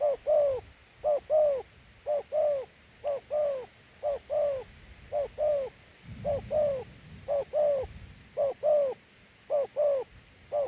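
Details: Steady double coos from a Thổ Hú dove, known for its good two-note coo. Low, rounded paired notes recur at about one per second, and a brief rumble of handling noise comes midway.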